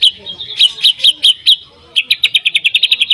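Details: White-rumped shama singing to set off other shamas: spaced bright chirps, a brief pause, then a quick run of short high notes repeated several times a second.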